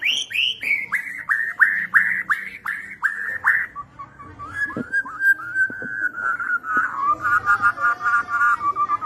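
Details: Borneo white-rumped shama in full song, used to stimulate shamas that have stopped singing: a rapid series of about ten loud, descending whistled notes, followed by softer, lower warbling trills.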